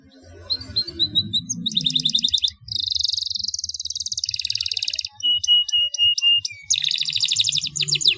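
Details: Canary singing in the rolling 'ngeroll' way, played to lure young canaries into learning: quick trills, a long dense buzzing roll, crisp separated chirps and another trill over a soft low background murmur.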